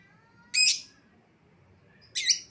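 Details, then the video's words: Lovebird call used to lure an escaped lovebird home, with two loud harsh screeches about one and a half seconds apart against a quiet background. "suara pikat lovebird yang lepas"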